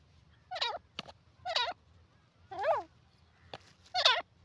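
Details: Teetar, or grey francolin, giving four strident, quavering notes about a second apart, each dipping and rising in pitch, with a few short clicks and a faint low hum.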